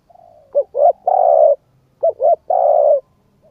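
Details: Spotted dove gives its coo to excite a decoy bird: two quick rising notes and a sustained low hoot, the phrase heard twice in close succession.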